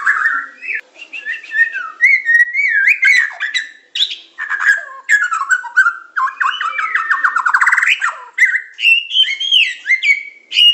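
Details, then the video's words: White-rumped shama of the Medan type giving tutor song with pancingan, macet, tembakan and isian styles. Varied whistles run on almost without pause, with a fast rising rattle in the middle and bright high notes toward the end. "Materan burung murai batu medan super-pancingan macet-tembakan-isian"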